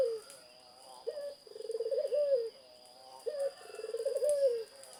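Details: Two purring cooed phrases from a zebra dove, each a short opening note then a long vibrating trill that rises slightly before stopping, with a faint continuous high whine behind.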